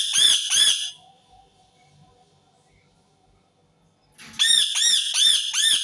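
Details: Shrill screams of an Indian ringneck parakeet: a pair of rasping arched notes opens, a pause of three seconds follows, then a fast series of four or five more harsh screeches.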